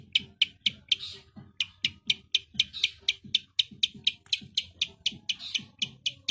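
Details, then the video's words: Long-tailed shrike delivering rapid 'tembakan' shots: a fast, even series of sharp, bright notes, roughly four each second, over a soft low rumble. "Cendet GACOR full tembakan rapat"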